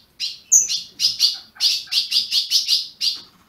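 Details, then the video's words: Captive ultramarine grosbeak from a registered Brazilian breeder, calling to warm up a caged bird: a fast run of about a dozen short, sharp chirps, bright and high, bunched into quick pairs and triplets with brief gaps. "Azulão piando"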